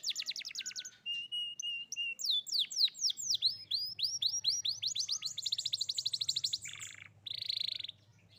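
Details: Young canary singing vigorously to coax silent canaries into song: varied rolling trills, swooping whistled notes and rapid repeated chips in quick succession, ending in a buzzy rattle, with a faint low hum late on.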